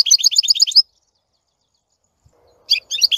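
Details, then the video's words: European goldfinch song: a quick run of repeated high chirping notes, then silence, then a short tinkling phrase resumes. "Красивое пение щегла. Singing goldfinch. آواز خواندن فنچ"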